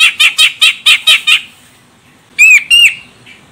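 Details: A Medan-type grey-cheeked bulbul female calls to draw song from a male: seven rapid, evenly spaced harsh chattering notes, a pause, then two clear whistled notes that bend sharply.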